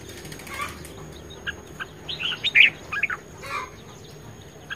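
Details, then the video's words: Red-whiskered bulbul in fired-up competition singing form, 10 May 2020: faint scattered chips at first, then a cluster of quick, slurred, whistled notes building in the middle before fading to sparse notes; faint background hiss throughout. "Chim chào mào hót | chào mào | chào mào hót đấu | chào mào căng lửa | chào mào sung sức"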